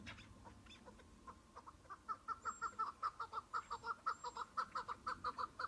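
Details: Single chukar partridge in patchy spring snow at the start of the hunting season: a few soft notes, then a loud, regular series of throaty mid-pitched chuk clucks roughly twice per second.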